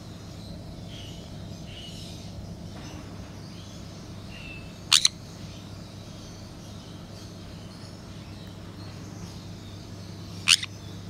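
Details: Hand-raised, very tame Jenday conure gives two short, harsh, piercing screeches about five seconds apart over a steady low hum of room noise.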